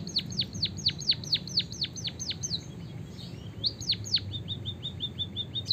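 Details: Song of a white-headed munia with canary-like filling, played to stimulate other birds into song: a fast series of piercing down-slurred chirps, a brief pause, two louder chirps, then a trail of tiny rapid ticking notes.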